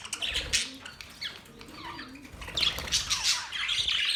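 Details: Mating budgerigars chirping: scattered soft twitters and gurgling notes in the first half, then a louder run of high squeaky chirps and rasps.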